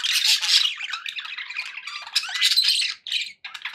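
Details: Budgerigars kept as pets chatter contentedly, rapid raspy squawks and thin whistled notes tumbling together, a few short gaps near the end.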